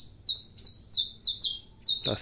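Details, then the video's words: Saffron finch from a breeder's fibra-song line, a competition bird, singing: five bright, buzzy high phrases spaced about a third of a second apart, each a short slurred burst, ending with a brief low thump. "canário da terra cantando"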